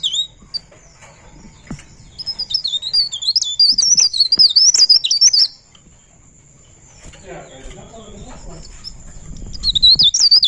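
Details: Pare pare bird in ngerol style, giving a burst of high, warbling whistled notes in the middle, then a quiet stretch with soft rustling, before the song briefly resumes at the end.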